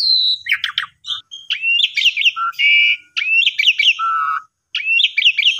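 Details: Pumping-style lure song of an Asian pied starling: a high whistle, then quick varied chirps, upslurred notes and a low flat whistle, separated by short pauses, with a clean quiet background.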